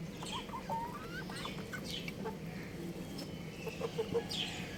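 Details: Young rooster playing on a roof, giving soft, short chirps with a few thin rising notes in the first two seconds, then sparse faint peeps over a steady low background rumble.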